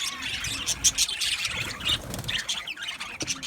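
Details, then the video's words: Male budgies in an aviary colony on 8 December 2025 give softer, scattered high chirps and brief squawks, overlapping in a lighter flock twitter. "Beautiful Male Budgies Sounds | Budgies chirping sounds"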